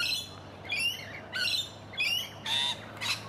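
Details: Rainbow lorikeets in a garden at Donvale, Australia, give six short, harsh, rasping squawks, roughly one every half second. The last ones are noisier and more grating.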